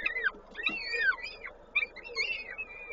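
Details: Peregrine falcon at a nest in Koszalin, Poland, on 19 May 2022 during feeding. High, thin whining and chipping notes that slur downward and bend, in quick irregular bursts over a steady low background hum.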